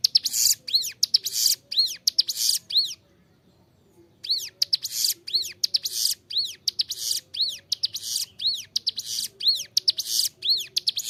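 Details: Ciblek gunung (Bar-winged prinia) singing constantly in a clear voice, recorded to tutor caged birds: repeated arched whistles and harsh buzzes, with a brief pause before the song resumes at the same pace.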